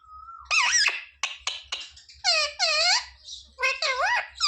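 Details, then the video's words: Pet parrot that talks, said to say mummy and papa; a low steady tone, then sharp clicks and squeaks leading into rolling, wavy, speech-like syllables in quick bursts. "Parrot talking mummy mithu ko roti do"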